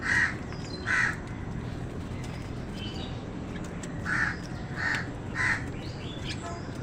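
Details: Harsh crow caws while crows and wild birds contend for food: two loud caws at the start, a pause, then three more in quick succession, over a steady outdoor hiss.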